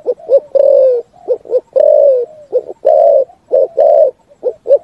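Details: Complete cooing song of a spotted dove ringing through woodland: soft deep coos, a couple of quick short notes followed by sustained level coos, repeated in steady sequence.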